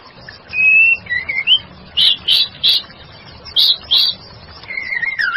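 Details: Female white-rumped shama singing actively, used as a lure: a steady high whistle, then a short rising whistle, four harsh high bursts around the middle, and a wavering whistled phrase at the end, over a low steady hiss.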